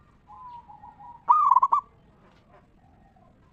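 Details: A local zebra dove gives its ngeristal song to prompt other zebra doves to sing. A soft, low drawn-out coo is followed by a loud, quick, stuttering trill of cooing notes.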